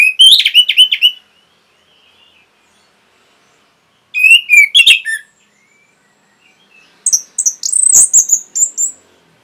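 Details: Orange-headed thrush, training recording for caged birds: three bursts of quick whistled and twittering notes. The last phrase is higher and more varied than the first two, with short silent gaps between bursts.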